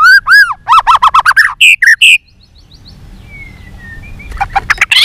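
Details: White-rumped shama giving its fighting song with a multi-voiced, fiery delivery and tail-flicking: loud arched whistles, then a quick run of rich notes climbing higher. A thin, quiet whistle follows after a pause, then renewed sharp notes.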